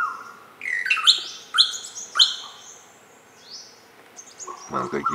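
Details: Greater racket-tailed drongo (Dicrurus paradiseus) giving three loud, metallic whistled phrases about half a second apart, each with rising and falling slurs, then softer high notes. A brief low voice sounds at the end.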